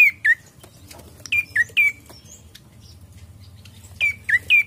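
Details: Lure recording of Ashy prinia song: bright, downslurred chirps in short bursts of two or three, with a pause of about a second and a half in the middle.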